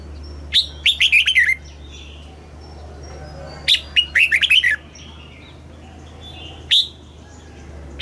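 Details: Red-whiskered bulbul in a cage, Thailand, southern master-style song for stimulating birds: two bubbly phrases of quick whistled notes, then a lone loud whistle, over a steady low hum.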